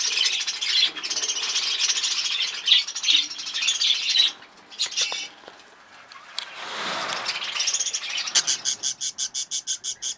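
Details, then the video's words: Breeding budgerigars kept as pets; a busy mix of chirps and chatter, then a fast, evenly repeated string of short sharp notes near the end. "breeding budgies parrot"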